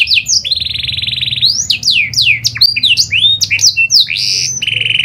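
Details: Panda canary, a pied variety, singing a lure song to start other canaries: opening high notes, a sustained buzzy roll, then a tumble of swift swooping whistles and short trills.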